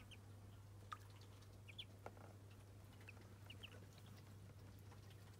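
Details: During their first bath, Muscovy ducklings make a few brief high peeps, mostly single or paired, and one soft knock, over a steady low hum.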